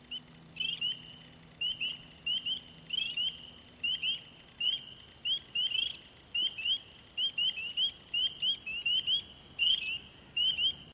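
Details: Courting wood ducks in April give thin rising whistled squeals, often doubled, in a steady series of about eighty per minute, with faint background noise and no other animals.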